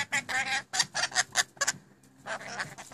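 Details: Pet rainbow lorikeets, new birds, talking rapidly: a run of clipped, harsh speech-like syllables in quick bursts, a brief pause, then more chattering phrases.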